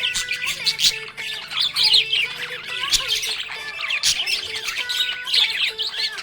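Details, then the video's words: Happy budgie chirping steadily: harsh, chattering warble full of high squeaks, clicks and quick whistled notes, continuous and busy. "Happy budgie chirping sound"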